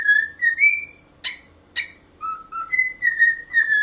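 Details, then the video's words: Corella singing indoors: smooth rising and falling whistles, then two sharp harsh bursts, a short pause, and further lower and higher whistled notes. "Parrot singing"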